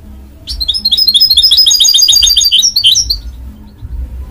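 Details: Song of a mule, the hybrid of goldfinch and canary: after a brief pause a dense, rapid trill of bright chirping notes runs for over two seconds, then stops abruptly, leaving faint room hum.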